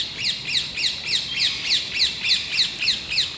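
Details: Rose-ringed parakeets, about ten overexcited birds, mobbing a red squirrel as it flees across plane trees in the gardens of the Château de Versailles, France; loud shrill screeches repeated steadily, roughly three per second, in an even rhythm.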